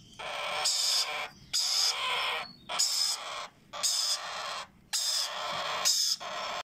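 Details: Hand-fed Sun conure and Yellow Ringneck parakeet chicks give harsh, rasping begging calls in bursts about every second while being fed formula.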